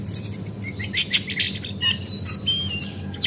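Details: Javan white-eye female lure calls: thin high chirps and quick downslurred whistles tumbling together, fairly continuous twittering over a low background hum.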